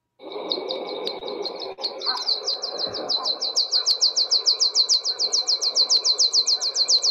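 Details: Meadow pipit (Anthus pratensis) parachuting song, given on a flight straight up then straight down: thin, high 'tsip' notes repeating about three times a second, growing louder and quicker, over a low rumble and steady whine.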